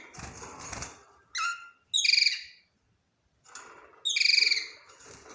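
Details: Budgerigar singing: soft scratchy chatter and a short whistled note, then two loud, buzzy, pulsing chirps about two seconds apart, separated by a brief silence.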